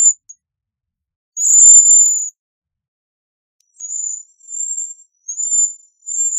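Bohemian waxwing giving very high, thin, buzzy trills: one longer ringing trill, then four short sibilant trills in quick succession, over silence.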